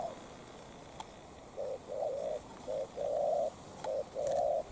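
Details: Spotted dove, a decoy bird confronting a wild dove. Loud, close, mellow coos come in pairs, a clipped note then a sustained coo, several in quick succession with brief pauses.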